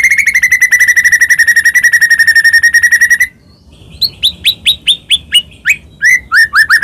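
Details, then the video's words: White-rumped shama singing, used to provoke other birds to sing: a fast buzzy trill of rapid repeated notes lasting three seconds, a brief pause, then a series of sharp downward-sweeping whistled notes repeated about every third of a second. "murai batu gacor AMPUH buat PANCINGAN murai batu agar bunyi JADIKAN burung murai gacor EMOSI"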